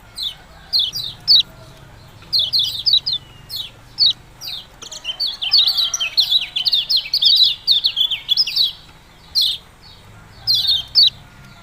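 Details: A yellow-bellied prinia (kecial kuning) delivers its ciak-ciak song, high sharp chips in pairs and triplets building into a fast continuous chatter near the middle, then separated notes again.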